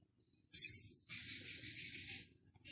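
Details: A six-day-old Philippine scops owl chick at Zoo Prague, recorded Thursday 13 August, gives a sharp, high hissing rasp, then a longer, softer wheezy hiss lasting about a second.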